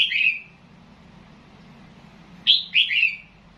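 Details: Loei province, Thailand: a red-whiskered bulbul's nap dok phrase ends. After a pause of about two seconds, a fresh three-note phrase of clear, downward-slurred whistles comes over a low background hum.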